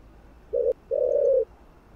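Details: Spotted dove (cu gáy) coo meant to excite other doves: one brief low hollow note, then a sustained, even, humming coo lasting about half a second.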